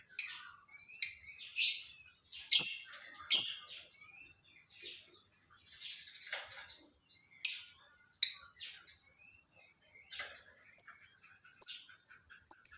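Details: Lovebird in the morning giving sharp, high, shrill chirps and screechy squeaks at irregular intervals, some clustered in pairs, with short gaps of near silence between.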